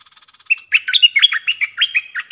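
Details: Southern Thai wild bulbul answering a caged decoy bird, a strong singer that stays away from the cage: faint rapid ticking, then a lively run of rich whistled, warbling notes that rise and fall, repeated in quick bursts for almost two seconds.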